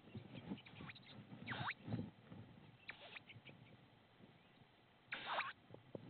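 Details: Tawny owl inside its nest site in Estonia on 6 May 2016 gives harsh, hissing rasps in three main bursts about two seconds apart, with soft rustling and scratching between them.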